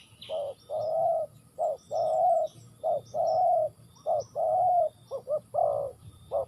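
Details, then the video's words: Spotted dove from Ninh Thuận, Vietnam, giving loud, mellow, low coos in repeated phrases: short notes alternating with longer drawn-out hoots, about one per second, with faint high chirps of other birds behind. "The Sound Of dove"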